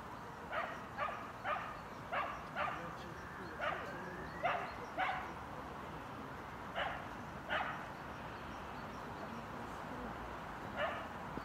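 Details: Common moorhen (Gallinula chloropus) in Tivoli Landscape Park, Ljubljana, on 29 January 2023 (winter), giving short, harsh, barking kek notes, about a dozen in irregular bursts, sometimes two close together, over a quiet, steady hum.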